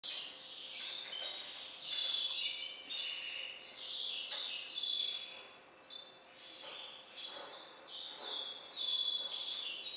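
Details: Captive-bred hybrid finch sired by a Balkan goldfinch (Carduelis carduelis balcanica) sings a continuous, varied warble of high twittering notes, short whistled tones and quick trills over ten seconds, with a faint steady low hum underneath.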